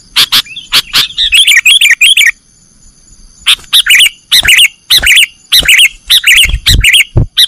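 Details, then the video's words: Sooty-headed bulbul in kutilang nggaruda style for caged-bird training: a run of rapid warbled chirps, a silent gap of over a second, then rhythmic loud chirping phrases roughly twice per second. "Masteran burung kutilang nggaruda"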